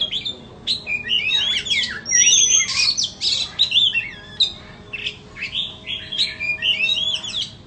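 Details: A caged Oriental magpie-robin of the 'than bông' variety, on sale, pours out a long, loud, continuous song of jumbled whistles, harsh chattering notes and quick slurred trills, rising and falling without a break.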